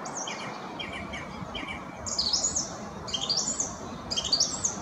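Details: Song thrush singing: short, bright whistled phrases, each repeated about three times in a row, followed by higher twittering phrases, over a steady soft background hiss.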